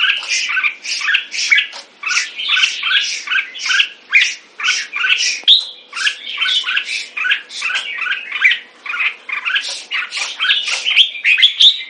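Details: Red-whiskered bulbul (jambul) kept in a cage, delivering a long run of rapid, harsh chattering notes, roughly three per second, over a faint steady low hum.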